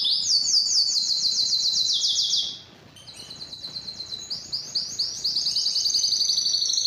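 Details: Canary song with a rapid high trill, a short quiet gap, then a soft fast rattle building again into loud repeated chirping phrases.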